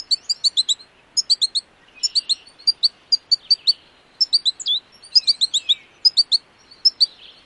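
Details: American goldfinch singing a long, high, jumbled twitter of quick chirps and sweet down-slurred notes in bursts, with no other sounds.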